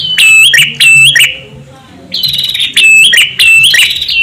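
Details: Calls of a male and female prinia, used to lure: two loud scratchy bursts, a brief lull, then three more strident ringing chips at even intervals.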